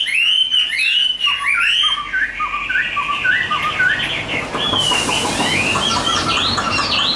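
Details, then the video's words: Chinese hwamei offered for sale, singing high twittering notes, then a series of short descending whistles repeated about twice a second, followed by louder looping phrases over a hiss. "HM 1505 SIÊU MẪU GIÁNG ĐẸP HÓT TỐT"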